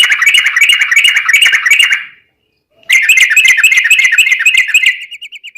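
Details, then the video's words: Sooty-headed bulbul in a long 'ropel' song meant to draw other bulbuls into singing: two dense runs of quick, chattering notes split by a short silence, the second trailing off into thinner trilled notes. "trucukan gacor ROPEL PANJANG buat pancingan trucukan agar bunyi"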